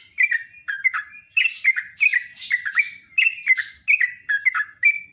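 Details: Clear, ringing whistled phrases from a sooty-headed bulbul in the morning, short notes strung together in uneven groups with brief gaps, faint rustling noise between some phrases.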